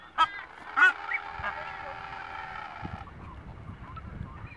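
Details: Nazca booby on Genovesa Island, Galapagos, where parents attack an older juvenile chick, gives two harsh, honking calls half a second apart, then a drawn-out wheezy tone, over a low rumble of wind.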